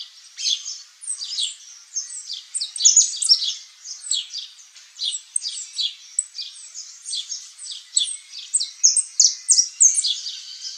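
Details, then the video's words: Saffron finch delivering a continuous, lively song of rapid high chirps and downslurred notes, repeated about three per second throughout. "CANTO do PÁSSARO CANÁRIO-DA-TERRA (SICALIS FLAVEOLA), SAFFRON FINCH"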